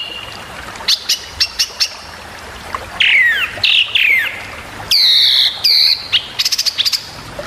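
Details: Long-tailed shrike training song with sharp varied phrases: scattered high clicks and ticks, then loud downward-slurred whistles in pairs, ending with a quick burst of rapid high notes.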